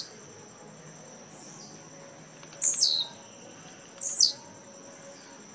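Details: Tiziu, the blue-black grassquit, competing in a singing tournament at Jacarepaguá, Rio de Janeiro, 18 November 2017. Two sharp, high descending buzzy phrases about one and a half seconds apart, with soft faint chips between them.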